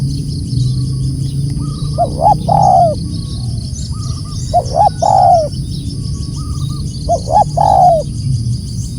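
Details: Loud calling of a spotted dove, three cooing phrases spaced about two to three seconds apart, each a few quick rising notes ending in a longer falling coo, over a constant low hum.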